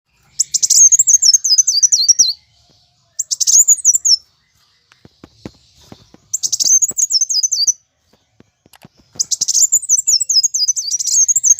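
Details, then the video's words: Plain sunbird, a kept songbird singing a fighting song used to prompt other birds: high, sharp twittering phrases of rapid descending notes, each burst about one to two seconds long, repeated four times with short pauses and faint clicks between. "Kolibri Wulung (Kowul) Gacor Tarung untuk Pancingan Bunyi Ampuh"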